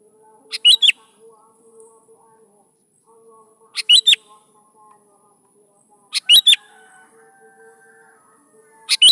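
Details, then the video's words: Sooty-headed bulbul song used to lure young bulbuls into singing along: short bubbly phrases of two or three quick notes, repeated about every two and a half seconds, with a faint steady hum behind. "PASTI LANGSUNG NYAUT DI PANCING SUARA BURUNG KUTILANG GACOR SATU INI"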